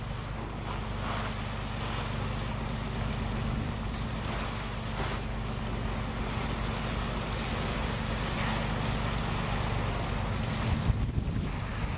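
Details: A steady low engine drone with wind buffeting and broadband noise throughout, and no animal calls to be heard.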